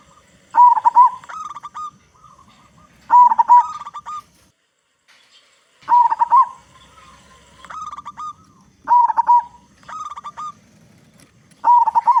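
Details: Local zebra dove with a big voice, sung to coax other zebra doves into song. Rhythmic cooing phrases of fast pulsed notes with a rising accent and a held ending repeat roughly every three seconds.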